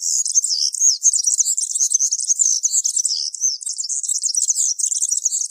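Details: A European serin pours out its field-style cante campero song: an unbroken, shrill, jangling stream of very high rapid notes, glassy and buzzy, lasting the whole stretch.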